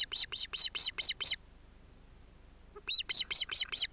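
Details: At an osprey nest with a mated pair and two ringed chicks, probably males, on 31 July 2018; six rapid, piercing chirps, a quiet gap of over a second, then another quick run of five to six.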